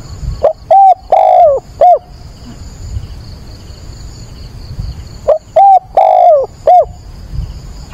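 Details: Spotted dove used as a decoy, calling at daybreak on 22 October to excite and train newly caught doves; two identical four-note coo phrases about five seconds apart, the long third note falling in pitch, a faint high whine throughout.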